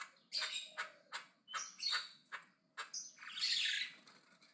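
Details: Javan myna chattering aggressively and loudly: harsh broadband squawks and rasping bursts in uneven series, ending in a longer grating screech.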